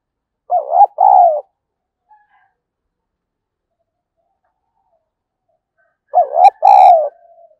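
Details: Spotted dove cooing used to incite fighting among wild doves: two phrases about five seconds apart, each a quick dipping note then a longer quavering coo. The second phrase carries a brief higher, harsher overtone-rich sound.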